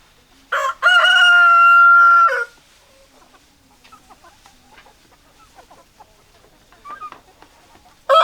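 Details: Rooster crowing: one long, loud, steady crow of about two seconds, then a quiet stretch with soft scattered clucks and faint background calls, and the start of another loud crow at the very end.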